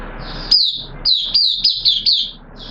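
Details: Caged oriental white-eye beginning its song on a wet-weather day: a lively string of high, bright, jerky warbled notes delivered in quick succession, closing with a shorter phrase after a brief gap.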